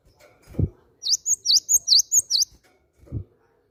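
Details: Cinereous tit lure call used to make other birds sing: a quick run of seven high, sharp V-shaped chirps framed by two dull low thumps.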